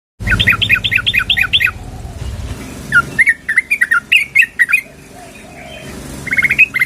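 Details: Sooty-headed bulbul female calling the male: a quick run of bubbly, warbling notes, then a pause and scattered sharp chirps and short slurred phrases, with low background rumble.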